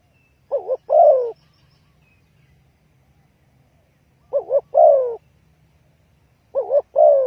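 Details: Trapping lure call of a spotted dove. Three phrases of two quick wavering notes and a sustained falling coo repeat roughly every two to three seconds, with faint low background noise.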